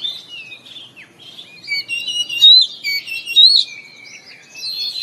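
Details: White-rumped shama, kept as a cage bird, singing in the morning as therapy to stimulate other birds to sing: a continuous run of varied whistled and chattering phrases, with two loud slurred whistles near the middle and a steady busy rhythm throughout.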